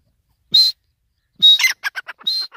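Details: Grey francolin (Iranian teetar) calling: a clear high whistled note, a pause, then a second whistle running into a quick series of harsh, clipped notes, ending on another drawn-out whistle. Quiet background.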